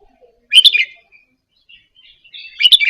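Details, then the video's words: Red-whiskered bulbul, Indonesian type, softly practising double-phrase song to get caged birds singing; two bright, bubbly warbled phrases about two seconds apart, with faint twitters between. "นกกรงหัวจุกอินโดหัดเบิ้ลปากเบาๆ เปิดกระตุ้นนกคึก นกร้องตาม"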